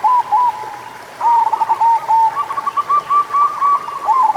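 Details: Local zebra dove song used to encourage slow-singing doves: a few soft opening coos, then a long continuous run of quick, evenly pulsed rolling notes.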